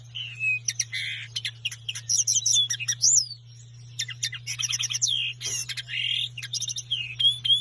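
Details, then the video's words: Common linnet song, a lively run of twittering notes, upswept whistles and short rattling trills broken by brief pauses, over a constant low hum. "Linnet singing"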